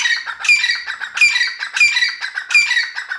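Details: Grey francolin (teetar) calling in a loud, harsh, rhythmic series, grating squawky phrases repeated roughly every 0.65 seconds, about 81 per minute, in an unbroken run with no other sounds.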